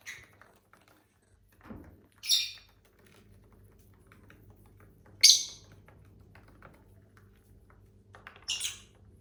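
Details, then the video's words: Household lovebirds give loud, sharp high chirps spaced several seconds apart, with a softer lower squawk early and faint indoor hum and rustling between calls. "Bird sounds for lonely lovebirds (Eating, Singing & Chirping Sounds)"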